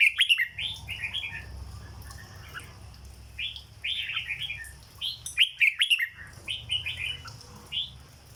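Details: A caged red-whiskered bulbul sings 'dok' style phrases, rapid groups of warbling, slurred notes, about four per second, separated by short gaps, with a faint low hum behind.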